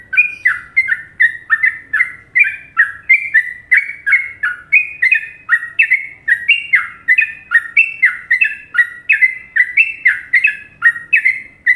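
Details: Sooty-headed bulbul (trucuk), Indonesian masteran recording of a popular Trucukan song style: a long, steady run of bright, slurred whistled notes, alternately rising and falling, roughly two per second, with no pause and a clean, quiet background.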